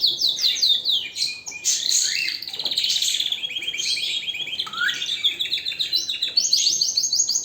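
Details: Canary in full song: a dense, continuous run of high, bright trills and rapid repeated chirps, with quick whistled sweeps and buzzy rolled phrases changing every second or so, loud throughout.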